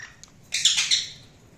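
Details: Budgerigar giving a single short, harsh chirp with a bright, high buzzy burst lasting about half a second, then fading; quiet indoor room background.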